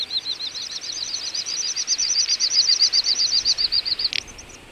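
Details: Little bustard wintering flock, Ag-Gol National Park, Azerbaijan, November 2014: two interleaved series of quick high whistled pulses that swell and then die away, followed by a sharp click.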